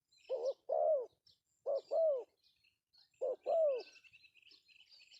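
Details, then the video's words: Spotted dove male calling in the pesom style used as a lure. Three pairs of low coos, each a short note and a longer bowed one, are answered by a chatter of small high-pitched birds. "suara panggilan Tekukur pesom Cocok untuk pancingan"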